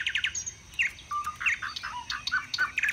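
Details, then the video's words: Caged Chinese hwamei, a kept songbird, shown spreading its feathers in display while singing high: a rapid, varied run of clear whistled and slurred notes, with quick buzzy trill bursts at the start and end, ringing slightly. "Họa mi xòe vip, xòe bền, hót cao cầu"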